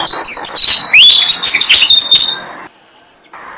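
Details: Six-day-old Malaysian pied fantail chicks fed by their parents in a jam tree: harsh, squeaky high chirps crowd together, with a rising whistled sweep in the middle, then sudden quiet.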